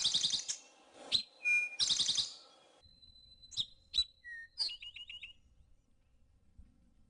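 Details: Eastern Towhee drink-your-tea song from shrubby Ozark forest edge in spring: two phrases, each brief notes leading into a rapid buzzy trill, then a few thin whistles and chips before quiet.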